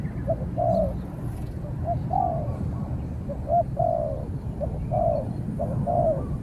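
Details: Spotted doves in a cooing fight, with a caged decoy bird answering a wild dove that stays far away until chased off. Moderate two-part coos recur every second or so over low background noise.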